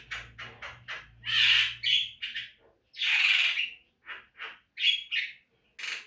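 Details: Javan myna song used as a training recording to make caged birds sing more: harsh squawking bursts alternate with short buzzy notes and rasping chatter, irregularly spaced with brief pauses.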